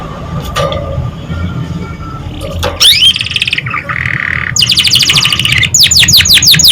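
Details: Canary singing, a training recording meant to stimulate young birds to sing quickly. It starts with faint chirps, then a sharp rising whistle, a churring roll, and fast repeated downslurred notes forming rapid trills at the end.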